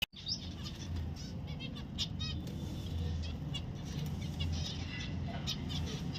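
Zebra finch giving short, nasal, toy-trumpet-like calls over a steady low rumble.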